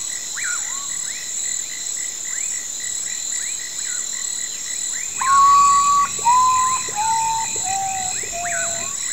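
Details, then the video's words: A chorus of chirping frogs and trilling insects gives way to the common potoo's melancholy song: four or five loud whistled notes, each a step lower than the last, descending over about four seconds. "O canto misterioso do Urutau"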